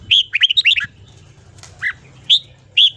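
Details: Red-whiskered bulbul singing in the morning for voice training, delivering bright warbled phrases of quick up-and-down whistled notes, a burst of about six notes followed by separate single whistles.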